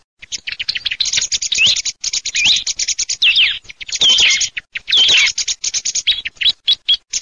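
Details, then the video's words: Song thrush (Turdus philomelos) singing a rich run of loud, varied whistled and chattering phrases, high and bright, with some phrases quickly repeated; no other sounds stand out. "Kελαηδημα Tσιχλας 3 /song turdus philomelos 3"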